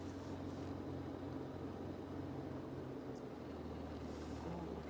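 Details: A steady low vehicle engine hum and rumble fills the recording, with no clear animal calls.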